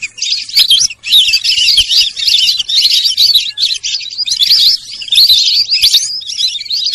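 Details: Sarail bird calling: a dense, continuous chatter of high, twisting whistled chirps in rapid overlapping bursts, broken by a brief pause near the one-second mark.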